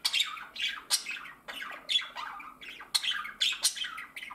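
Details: Budgerigar: a light grey female budgie flirting with a blue male while her green mate, unamused, looks on; rapid, scratchy squawks and chirps repeated in quick bursts.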